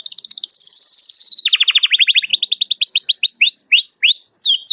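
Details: Canary calling out to a rival, used to teach young canaries to sing: a rapid pulsed trill and steady high whistle, a descending trilled run, then rising series and hooked upslurred whistles.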